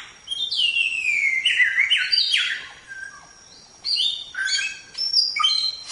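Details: Samyong song recorded for training other songbirds. A long varied outpouring of slurred, falling whistles and buzzy strokes stops briefly, then a second burst of high, twisting notes follows. Quiet background.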